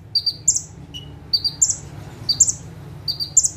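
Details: Perched bar-winged prinia in active song: a rhythmic series of paired thin chirps, each pair followed by a higher buzzy flourish, repeated about once a second. A single lower whistled note briefly sounds, and a low hum runs underneath.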